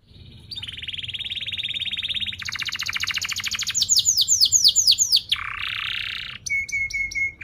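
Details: Canary singing a long phrase meant to teach young canaries: a buzzy low trill, a faster roll, rapid descending high chirps, a low buzzy section, then a steady whistled note with high ticks.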